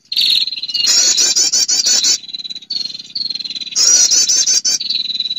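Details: Female prinia call for luring males: a steady high whistle leading into long buzzy ticking trills, then more level whistles, cycling twice without pause.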